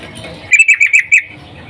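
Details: Female sooty-headed bulbul in breeding condition calling a male, used as a lure for males; a quick run of five bright, clipped notes, evenly spaced and fairly high, in under a second, then quiet.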